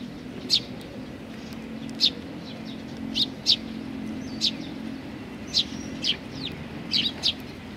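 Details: Fledgling sparrows gathering at food, Tenmangu, Nakanoshima, 25 May 2020: thin high chirps repeat every second or so, clustering toward the end, with a constant low rumble beneath.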